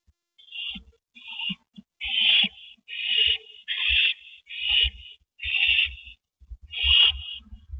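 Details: One owl delivers a rabbit to its mate at the nest, April 19, 2012, 8:15 PM; around eight raspy hissing screeches follow closely one after another, with tapping and shuffling noises between them.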